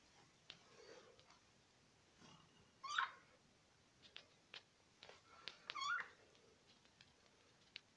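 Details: Indoor pet budgerigars give soft ticking sounds and two louder warbled chirps, about three seconds apart.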